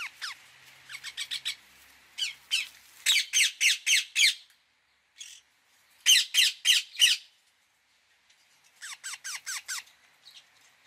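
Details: Indian ringneck parakeet repeatedly screeching in fast runs of harsh, downward-slurred squawks, several bursts of four to eight notes with short silences between them.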